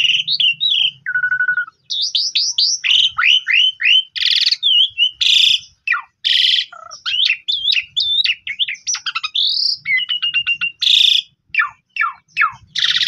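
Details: Pundung-type Asian pied starling in long, continuous song meant to set silent or stressed birds singing: dense run of varied whistles, down-slurs, harsh rasps and a low flat whistle early on, barely pausing.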